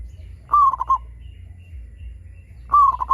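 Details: Local zebra dove in full voice, used to prompt other zebra doves to sing: two loud phrases a little over two seconds apart, each opening with a long downslurred coo followed by three rapid clipped notes, above a low hum.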